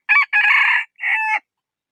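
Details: A rooster gives one crow in three sections. A short harsh burst is followed by a long, rough, even middle note and a clearer held tone at the close. No other sounds are heard.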